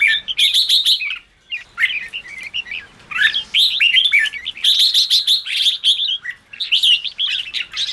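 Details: Red-whiskered bulbul singing strongly in the ché style, used to fire up newly caught birds: rapid bursts of ringing, whistled, warbled notes repeated in long, energetic runs with one short pause early on.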